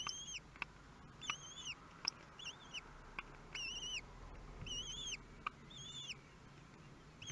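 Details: Newly hatched common kestrels at Théding, France, 23 May 2022, during their first meal: a run of high, thin, bowed squeals in quick succession, each slightly rising then falling, over a steady low hum and scattered clicks.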